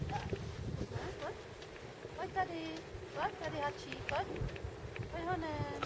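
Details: Alpine chough young being fed on the Dachstein: a run of squealing, harmonic calls that slur downward, repeated irregularly through the clip over a quiet outdoor background.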